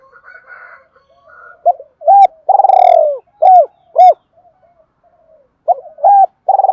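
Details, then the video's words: Spotted dove calling and urging wild doves to come in. Faint higher murmurs open, then a phrase of short hooked coos around a long, buzzy, falling note, and another phrase begins. "Tiếng chim cu gáy kích bổi nhanh nổi, gáy gọi và thúc bổi nghe về cội liền"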